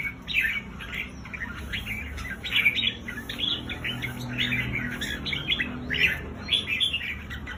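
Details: Red-whiskered bulbuls singing, a recording played to stir up caged birds: dense, continuous chattering chirps and short warbled phrases, fairly steady throughout, over low background rumble.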